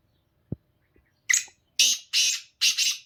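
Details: Song of a black francolin: after a couple of faint knocks, four loud rasping, buzzy notes follow in rapid series, the later ones longer and doubled, harsh and scratchy in tone.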